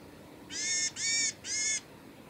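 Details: A varied tit at Kita-Fuji training ground, Japan, on 2 December 2018, gives three harsh, nasal, buzzy notes in a row, each a little under half a second, against a quiet background.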